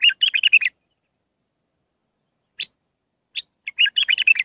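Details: A bulbul sings a Mandalawi-style song of six phrases for training young birds: a fast, bubbling run of chirped notes, a lone note after a gap, then another lively warbled burst.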